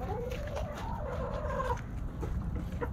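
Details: Backyard hens and roosters snacking at Thanksgiving; drawn-out, tonal clucking calls rise and fall through the first two seconds, then softer low clucks follow over a steady low rumble.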